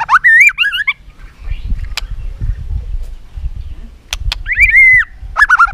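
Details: White-rumped shama giving competitive song with repeated tạch calls and tail flicking, used to provoke other shamas into contest singing: bright whistled phrases near two kilohertz at the start and again after four seconds, quiet low rumble in between.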